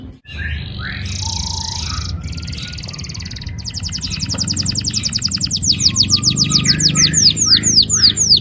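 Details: Canary song used to stimulate young canaries to sing: a long rolling song, starting with buzzy high trills and harsh rattles, then building into fast repeated downward-sweeping whistled notes, several per second, growing louder toward the end.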